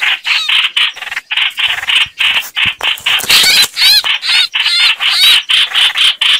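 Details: Trapping lure of chao chảo bird calls: steady string of harsh, rasping notes, roughly two per second, with a louder burst of squealing, wavering notes in the middle.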